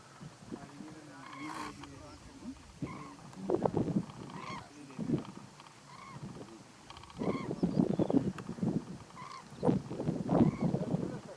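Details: Common cranes, also called Eurasian cranes, at close range in the Little Rann of Kutch, Gujarat, India, in January 2020; loud honking and trumpeting calls in irregular bursts, several birds overlapping, with some low murmuring between outbursts.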